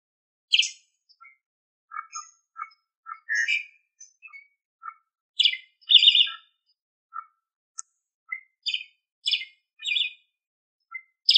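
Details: Asian pied starling singing in a training recording for songbird keepers: scattered short chirps and buzzy bursts, some low whistled notes, separated by brief silences.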